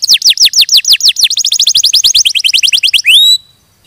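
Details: Canary song: a run of loud descending whistled notes, speeding into a quicker trill, ending with a rising whistle and then silence.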